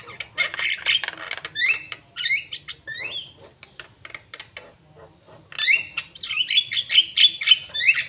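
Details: Asian pied starling singing a varied series: rapid clicks, then repeated hooked whistles falling and rising, ending in a dense burst of chattering notes and sharp whistles.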